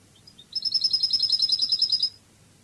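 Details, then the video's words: European goldfinch singing in the Spanish Cádiz song style: one fast, bright trill of about fourteen metallic notes lasting a second and a half, preceded by a few faint thin chips. The background is quiet. "CANTO DE JILGUERO CADIZ شريط لغة الحسون الإسباني قادس"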